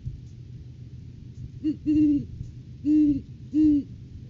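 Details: Deep hooting from a great horned owl at its nest tree in courting season before February egg laying, live cam on 9 January 2023; a short lead-in note followed by three strong, evenly spaced hoots over low hum.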